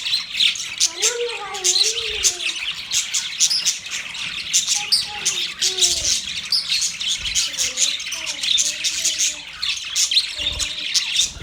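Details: Budgerigars chirping in a busy, continuous stream of harsh, scratchy twitters and squeaks, with lower sliding tonal notes that rise and fall beneath the chatter.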